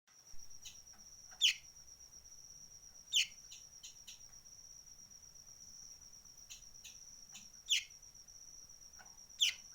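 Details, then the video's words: Sunbird giving what is described as a strange call: sharp, high, downward-sweeping chips spaced irregularly every one to three seconds, over a steady high-pitched insect drone. "Kolibri ninja suara aneh"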